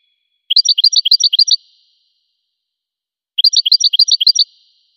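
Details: Goldfinch singing two near-identical bursts of rapid, evenly spaced high chirps, each lasting about a second and separated by a long silence. Nothing else is heard.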